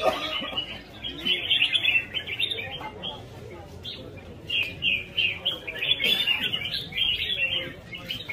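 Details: Red-whiskered bulbul in competitive song with a rhythmic fighting style: quick chattering notes in clustered bursts, about three per second, with faint voices and rustling underneath.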